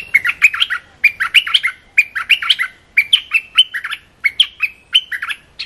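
Olive-winged Bulbul giving quick, bubbly phrases of three to five chirpy, warbled notes, repeated about once a second, clear with no other sounds.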